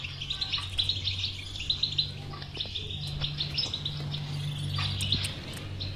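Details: European goldfinch singing a bitbita, played to encourage a silent goldfinch to sing: fluid, twittering warble with short buzzy notes, steady over a noticeable low droning hum.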